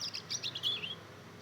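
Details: A two-month-old Mozambique canary × canary hybrid learning to sing utters a brief cluster of thin, high chirps followed by a short descending whistled slur.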